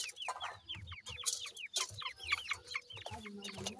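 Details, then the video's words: Grey francolin chicks calling while playing: many rapid, thin, downslurred peeps in quick overlapping series, with low thumping and handling noises beneath. "goray teetar kay goray bachay in the playing,chicks voice"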